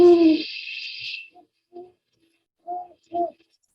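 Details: Great Horned Owl giving its typical, well-known call, deep soft hoots in a short uneven series, after a brief harsh hissing burst at the start.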